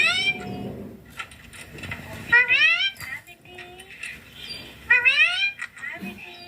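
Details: Ringneck green parrot kept as a pet, talking: several loud harmonic, sweeping utterances come in bursts, spaced a few seconds apart, between quieter room sounds and short faint notes.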